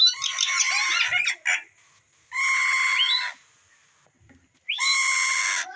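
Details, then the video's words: An Indian green ringneck (rose-ringed) parakeet kept with a baby parrot gives three harsh, rasping squawks, each about a second long, with short quiet gaps between them. "Indian Green ringneck talking parrot with baby parrot"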